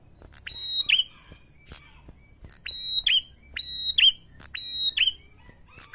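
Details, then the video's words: A prinia repeats a loud, high, steady whistled note ending in a sharp downward flick, about once a second, with little else heard; meant as a lure recording to provoke other prinias. "pancingan ampuh bikin prenjak mana saja bakal emosi"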